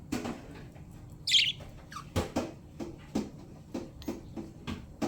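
A budgerigar gives a brief, bright chirp amid a series of soft taps and clicks.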